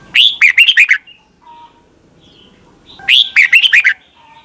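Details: Red-whiskered bulbul from Thailand giving its doubled song for caged birds to copy. Two near-identical bright, warbling phrases of six or seven notes each come about three seconds apart.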